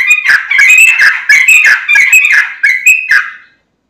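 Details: Loud, rich song of a Sooty-headed bulbul, used to lure other bulbuls into singing. Fluty, chattering phrases follow one another closely for about three and a half seconds, then stop.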